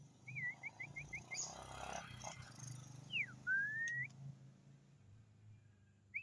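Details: Champion white-rumped shama opens with a quick run of five or six short, looping whistled notes. After a pause comes a falling whistle that turns into a long, slowly rising tone. Faint background noise and a brief clatter.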